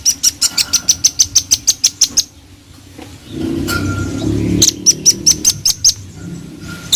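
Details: Velvet-fronted nuthatch, described as vigorous and vocal, delivering a fast, even series of about fourteen sharp, very high chip notes, then a pause filled with low rumbling noise, then a second run of about seven notes.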